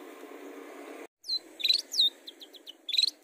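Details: Long-tailed shrike song used as a lure to prompt other birds to sing: sharp, high, downslurred chirps and short clipped notes in uneven bursts after a hissy background stops abruptly.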